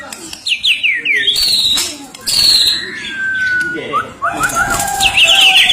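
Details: White-rumped shama of the Medan type singing energetically with a full repertoire of phrases: varied clear whistles, rising and falling slurs and rapid chattering trills, loud and strident, mixed with rustling and some background noise.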